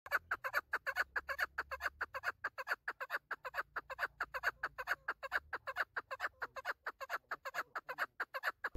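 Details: A female chukar, used as a hunting call, gives a long, steady run of harsh, clucking chuck notes, several each second, with a faint low hum behind.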